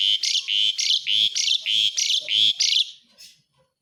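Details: Asian pied starling (jalak suren) in 'isian besetan' style fill song: a rapid run of about eight loud, harsh, buzzy notes of even length, each with a faint low undertone, ending abruptly.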